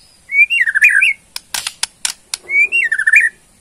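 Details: Bornean white-rumped shama kept as a songbird, singing two matching slurred whistled phrases that dip and rise, separated by a cluster of harsh rattling notes.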